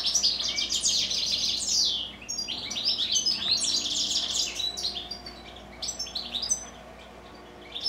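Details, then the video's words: Pet goldfinches singing during the evening, a fast liquid twitter of high chirps and short trills, loudest in the first half, then thinner scattered notes after a brief lull. "Evening goldfinches song."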